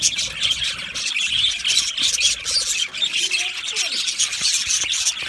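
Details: Loud budgerigars, described as lonely and calling for contact or out of distress, give a steady stream of sharp, high-pitched chirps and squawks, with a few lower whistled notes near the end.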